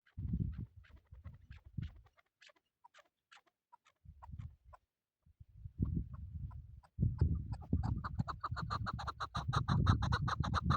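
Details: Hunting chukar partridge giving a rapid series of harsh, evenly spaced clucking notes, clearest in the last four seconds after scattered fainter notes, over heavy low rumbling wind or handling noise.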